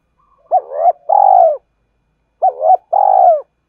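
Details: Spotted dove 'gọi hai hậu' phrase for goading competitors, heard twice: each time a sharp hooked note, a rising rolled coo and a long purring falling coo, separated by a silent gap of about a second.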